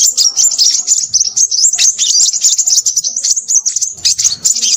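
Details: Crimson sunbird in lively, noisy song. Sharp high chips and thin whistled notes chatter on continuously, pulsing slightly in volume.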